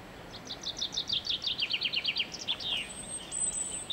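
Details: Common chaffinch singing in a garden on 23 February 2016: a quick run of bright descending notes that speeds up and ends in a flourish, over a faint high hiss.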